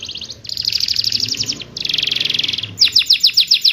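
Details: Lure song of a canary, meant to restart singing in canaries gone quiet; two fast rolling high-pitched trill phrases separated by a short pause, then a slower run of sharp downslurred notes.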